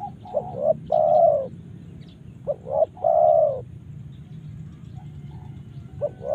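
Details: Spotted dove from Karawang, Indonesia: two full cooing phrases, each with short opening notes and a long steady final coo, followed by the start of a third phrase; low background rumble.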